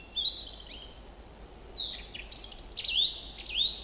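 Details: Song thrush song recorded at Montbéliard, France, late February to early March 2024: bright, varied whistled phrases, some rising and some swooping, with brief pauses between them and little background noise.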